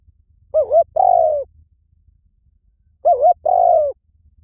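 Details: Spotted dove cooing: two phrases about two and a half seconds apart, each a short wavering note and then a longer, mellow, slightly falling coo, with a faint low hum beneath.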